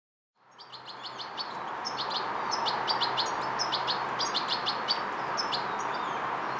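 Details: Fledgling European goldfinch learning motor control and coordination, giving rapid short high chirps and twittering notes, some doubled, about three per second, over a steady broadband hiss.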